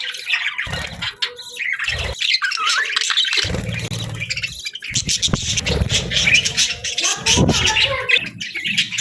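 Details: Morning budgerigar chirping, continuous scratchy twittering and squeaks with several overlapping voices, mixed with low rumbling noise and occasional knocks.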